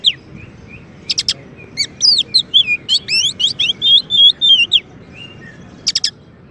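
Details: Master song of a champion Oriental magpie-robin for training white-rumped shamas: a few isolated high chips, then a quick, varied string of twisting whistled notes lasting about three seconds, ending with a sharp chip burst.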